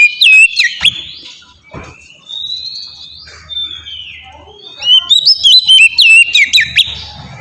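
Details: Ngeplong song of an oriental magpie-robin, a lure for captive birds: whistled phrases at start and end with a quieter drawn-out whistle between, faint low hum beneath.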